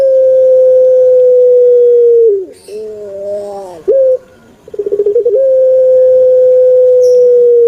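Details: Javanese puter pelung turtle dove kept at home: a long even coo slowly sinking in pitch, then a rough, thick 'kwok' with stacked harmonics, a brief high note, fluttering rolled pulses, and another extended steady coo.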